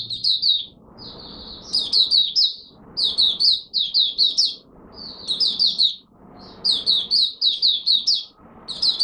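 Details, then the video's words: Warm-up song of a kept Malaysian Mata Puteh, the oriental white-eye, at the start of the day: bright, rapid high twitters in repeated phrases with short gaps, soft noise below. "Malaysian Mata Puteh Buka Sing Poseidon 1st warm up for the day"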